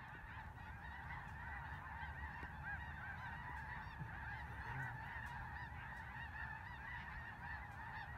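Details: Large flock of snow geese in Vigo County calling nonstop, countless short nasal yelping honks overlapping in a busy, ceaseless chatter over low background rumble.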